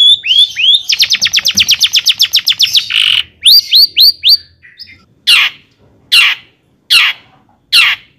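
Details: Long-tailed shrike in lively song, played as a lure to rouse other shrikes into singing: a fast run of bright upslurred whistles, then a harsh burst and a few looping notes, ending with loud rasping calls about once a second.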